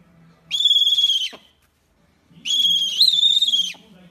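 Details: Rare owl giving two long, high whistled notes, steady in pitch with a slight rise in the second, each lasting about a second, separated by a brief silence; faint low hum beneath.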